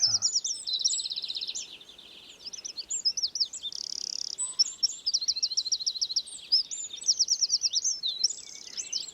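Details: Wren singing close by on a very still morning, incredibly loud for its size, taken with a parabolic reflector: long rapid outpouring of high trills, buzzy rattles and sharp twitters, phrases rushing on with brief pauses.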